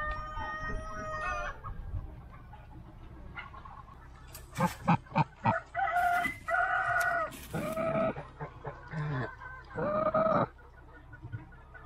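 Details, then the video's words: Goose sitting on its eggs at a nest in a deep forest in South Korea, where free-range chickens also live. After a quiet start with a drawn-out crow-like note, loud harsh harmonic honks come in a rapid burst of short blasts, then a few longer ones. "A strange sound that a goose makes when it lays eggs"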